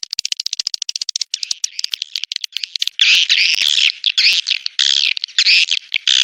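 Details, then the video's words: Swiftlet mating call from a 2023 'Birahi Lintas Senja' lure track used to attract swiftlets: rapid dry clicking pulses for about a second, then dense buzzy, chattering chirps in sustained bursts, high-pitched throughout. "SP BIRAHI LINTAS SENJA ORI 2023 | Suara walet Terbaru"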